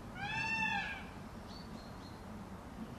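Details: Peacock calling while displaying with its feathers spread: a single loud, drawn-out wail that rises and then falls, with rich harmonics, followed by faint high chirps and low background noise.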